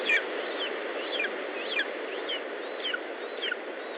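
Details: At an Estonian lesser spotted eagle nest on 19 July 2012, late morning: sharp falling yelp notes repeated roughly every half second, fairly faint against constant background hiss.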